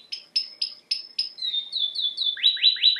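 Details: Canary singing for bird training: five sharp separate chips, a thin steady whistle, three descending slurred notes, then three quick upward-sweeping whistles, clean with no background.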